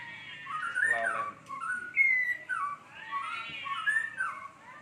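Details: Varied warbling song from a murai hutan (white-rumped shama), its phrases filled with copied lovebird and sparrow sounds; continuous whistled slurs, rising and falling, with chattering bursts woven through.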